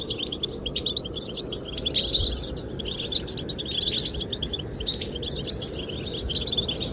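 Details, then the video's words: Goldfinch song, sung to attract the female: dense runs of high, liquid twitters and metallic chirps, nearly continuous with brief pauses, above a constant blowing wind. "the chirping of goldfinches"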